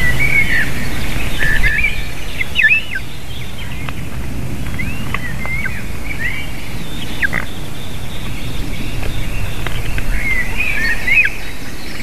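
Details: Eaglets and female eagle crying around a landing and take-off before feeding, 7 June 2023 afternoon: scattered high, thin squealing whistles and sharp chirps, spaced irregularly, over steady low wind rumble.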